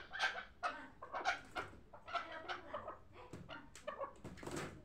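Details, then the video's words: Hybrid chukar partridge from last year's brood, bred for fighting and hunting, uttering spaced groups of harsh, clucking chuck notes roughly every half second, loud then fading slightly. "Кабки гибрид"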